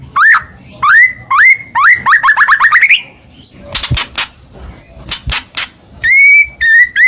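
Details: White-rumped shama in strong contest-ready form: rich whistled upslurs, a rapid run of repeated rising notes, sharp clicks and rasps, then more clear level whistles.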